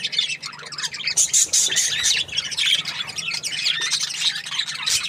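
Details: Happy budgie chirping: bright, high, fast twitters and buzzy squawks run on almost without pause, loud and lively.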